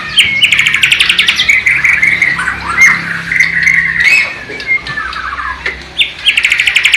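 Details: Captive Bornean white-rumped shama, East Kalimantan, with a sikatan londo and nightingale imitation: a rapid rattling trill opens, then loose varied warbled and chattering phrases, and the quick trill returns at the end.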